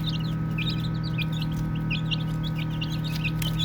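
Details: Soft peeps from a group of baby chicks at play: bursts of brief, high, falling chirps, some doubled, with short gaps between bursts, over a steady electrical-sounding low hum.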